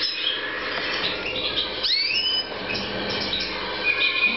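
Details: European goldfinch in breeding season, 2014: dense, busy twittering with bright chirps and a quick rising sweep near the middle, over a steady background of other small-bird chatter.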